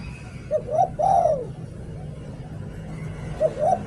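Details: Spotted dove decoy singing "liu tan": two short coos, then a drawn-out burry coo falling at the end. The next phrase begins with short coos before the clip ends, over a low background rumble.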